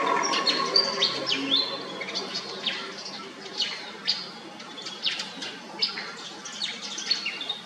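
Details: Pied fantail giving a busy run of high, squeaky chirps and short downslurred notes, several a second, with a steady low hum and other faint calls behind.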